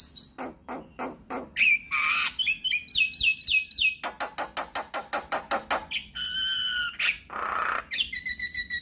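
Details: Javan myna song, used to provoke and tutor other mynas. A varied, busy mix of clicks, a bent whistle, quick looping whistles, harsh rasping notes and ringing trills, with little pause between phrases.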